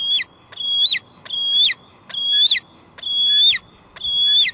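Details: Squeeing female bald eagle, wild, on a Two Harbors nest on a July 2022 evening, recorded through a wildlife live cam: six high, drawn-out, piercing squeals with stuttering starts, about one per second, steady and loud.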